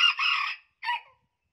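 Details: Hybrid junglefowl rooster from Central Vietnam and the Central Highlands, known for a high crowing voice: a loud harsh crow of about half a second, then a brief clipped second note dropping in pitch.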